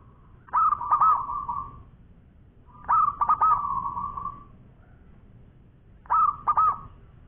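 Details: Local zebra dove singing actively: three similar phrases, each a quick pair of rolling coo notes trailing into a fading hum, spaced about three seconds apart.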